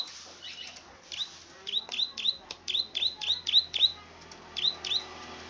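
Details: A plain prinia, locally klik-klik, delivers a lively string of crisp, high 'klik' notes, roughly four per second. A few softer notes come first and a low steady hum runs beneath.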